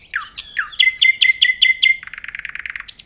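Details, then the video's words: Close, loud nightingale phrase: two downslurred notes, a series of ringing repeated whistles about five per second, then a fast dry trill. "صوت العندليب وجمال الطبيعة🤩Nightingale Sound and Nature Beauty"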